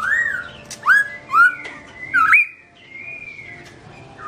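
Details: Black-throated laughingthrush singing with its owner away, recorded in 2017: a run of loud, upslurred whistles about every half second, then a long, even, gently arching whistled note.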